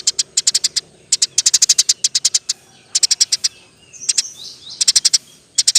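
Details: Eurasian tree sparrow in energetic 'roll tembak' form, a master recording for songbird training; short groups of sharp high chirps repeated steadily, with softer swooping notes near the middle.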